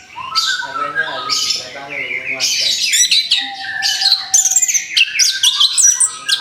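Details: Orange-headed thrush recently through its moult, kept by bird hobbyists, in varied song. Harsh, buzzy notes give way to quick high chirps and whistled slurs in a continuous rambling stream.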